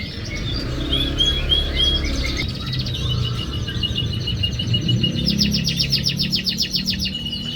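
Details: Lure recording of a canary to prompt a quiet canary to sing: whistled and warbled phrases giving way to fast, sharp repeated trilled notes, amid loud low rumbling noise.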